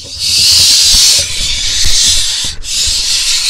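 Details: A barn owl nestling in an Israeli nest box on 6 July 2021 gets prey at the entrance; a continuous loud rasping hiss with a brief break, plus faint low thumps.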